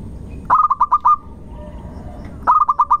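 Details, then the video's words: Local zebra dove lure song, with a pushy opening, sweet middle and lengthened ending. A fast burst of six low coos closes on a sustained note, and a second identical phrase follows two seconds later. "irama Tembakannya ngotot di awal panjang di belakang merdu di tengah pancingan Perkutut Lokal Gacor"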